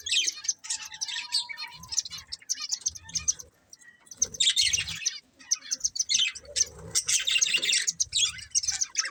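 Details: Two breeding budgerigars chatter in high, buzzy warbling bursts, one drawn-out whistle early on, then a quiet pause before the chattering resumes more intensely.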